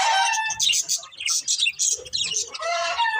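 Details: Loud, continuous budgerigar warbling with bright, high squeaks, chattering buzzes and a recurring whistled note near the start and end.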